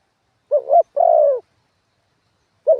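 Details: Single spotted dove phrase from a decoy bird on the ground: a quick quavering coo, then a smooth, longer coo that dips toward its end. A new phrase begins just as the recording ends. Surroundings are quiet.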